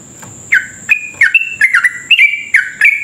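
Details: Sooty-headed bulbul in fast rolling song used as a lure for other bulbuls: about eight rich, slurred whistled notes in quick succession, each dipping then rising, with a steady high electronic-sounding tone behind.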